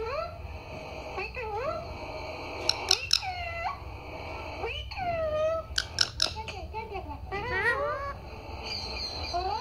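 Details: Household parrot talking "Mummy, Papa": a long string of speech-like, wavering syllables, each sliding up and down, broken by sharp high clicks and short gaps over about ten seconds.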